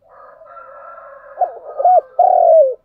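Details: A spotted dove's morning lure call for attracting wild doves begins with a low, rolling hum, then three loud coos, the last long and gently falling.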